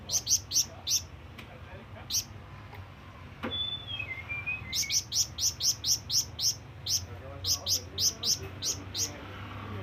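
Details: Flamboyan bird calling out to companions or rivals: scattered high chirps, a short gap with a faint descending whistle, then dense bursts of rapid, sharp, high-pitched notes over a low background hum.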